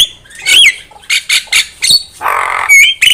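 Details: Javan myna song used as a trapping lure: harsh squawks and rasping bursts mixed with sliding whistles, loud and irregular.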